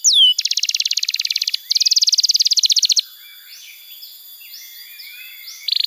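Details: Canary singing as a tutoring and trigger recording for young canaries: a swooping whistle, then two bursts of rapid, evenly repeated buzzy notes, a quiet stretch with faint twitters, and a final brief trill.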